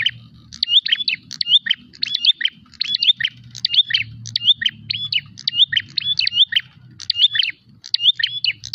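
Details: Rival-seeking prinia giving loud repeated chirping phrases, sharp upswept and downslurred notes grouped in bursts nearly every second, with low murmuring background noise throughout.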